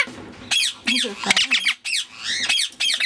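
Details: Grey Indian ringneck parakeet chattering in short harsh bursts, some with lower voice-like tones mixed in, several squawky speech-like syllables spaced across three seconds.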